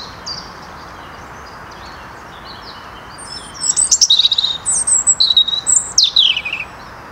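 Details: European robin in the Netherlands, 2023: after a few seconds of near silence, a rapid series of high, thin chips and short descending whistles, several notes per second, then quiet again.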